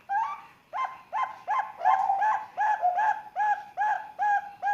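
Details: Bangkok-type zebra dove chick, three months old, from Sengkang, Wajo, calling to prompt young birds to sing: a run of short, mellow coos, each rising then falling, repeated about every half second in a steady series.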